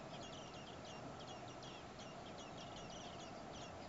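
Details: Hungry common blackbird chicks, four in a nest, fed by their parents on a day above 30 °C; a quick run of high, sharp chips, almost continuous, sits over a flat noisy hiss.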